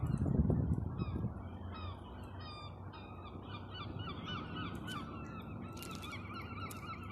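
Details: Gull producing silly noises as pigeons are attracted. After a loud low thump, a long run of softer, nasal, downward-curving calls repeats steadily, with a few sharper bursts near the end, over steady low rumble.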